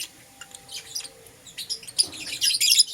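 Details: Lovebirds, euwing green opaline and lutino, in the morning: soft, faint chirps at first, building to a louder burst of sharp, high, rapid twittering near the end.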